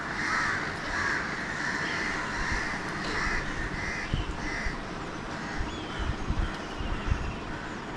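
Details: Alexandrine parakeets in Mumbai, India, seen from a window, giving harsh, raspy screeches in a steady series, several each second, over low rumbling background noise.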